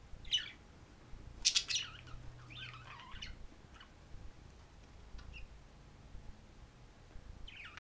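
A budgerigar gives bright, scratchy chirps and warbled twitters in short bursts.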